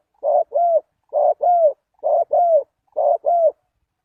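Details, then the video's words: Spotted dove lure call for attracting wild doves: four evenly spaced double coos, each a brief burry note followed by a drawn-out, gently bowed hoot, low and clean with no background sound. "Chim cu gáy chiêu kích mồi tập bổi nhanh nổi hiệu quả"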